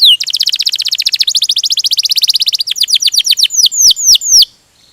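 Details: Canary in gacor song with ngerol (rolling) style: a long fast run of dense high buzzy notes, then slower, louder downward-sweeping whistles about four a second before a quiet end.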